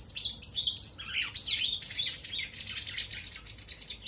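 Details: White wagtail visiting a balcony or garden; loud continuous high twittering, warbling slurred notes at first, then rapid short chips repeated about three times a second.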